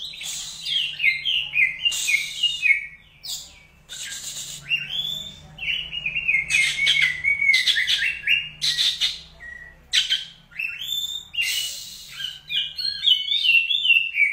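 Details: Contest-winning caged Oriental magpie-robin in full, nonstop song with crystal vocals and sharp fill-ins: dense bright whistles, buzzy trills and rapid chattering runs for the whole stretch.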